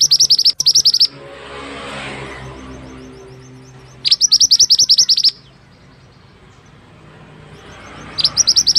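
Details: Mantenan bird song kept as a tutor track for other birds: three loud, rapid trills of high chipping notes roughly every four seconds, with quiet hissing and low background rumble between them.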